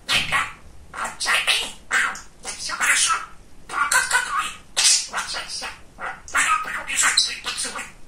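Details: Pet male budgerigar, described as very talkative and funny, mimicking words in quick squeaky phrases, bursts of clipped syllables with short pauses between runs.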